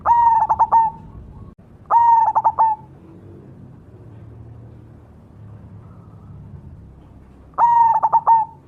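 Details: Zebra dove of the cemani type singing vigorously: three cooing phrases, each a held tone rolling into rapid pulses; the first two come close together, then a pause of about five seconds before the third.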